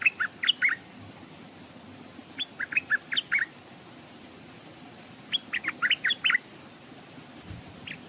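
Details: Stripe-throated bulbul hung as a decoy along a stream, birds approaching but not landing; bursts of six to eight rapid bright chirps, repeated every two to three seconds.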